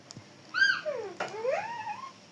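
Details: Parrot, described as talking: a clear whistled note sliding down, then a second sweeping glide rising and falling, with a faint click before them in a quiet room.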